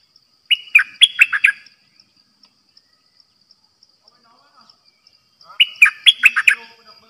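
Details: Caged red-whiskered bulbul of the dok taeng type, a decoy bird used for trapping, sings two short bursts of five or six rich, bubbly whistled notes. The bursts come about five seconds apart over steady rhythmic insect ticking.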